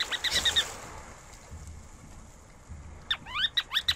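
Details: Ruddy turnstone giving high, sharp chirping notes in short bursts, first a quick cluster, then after a pause a rapid series of rising and falling squeaky notes, over a low background rumble.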